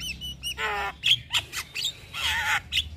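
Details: Javan myna (jalak kebo) with white eyes, nodding, in full isian song: harsh squawking rasps mixed with brief bright whistled notes.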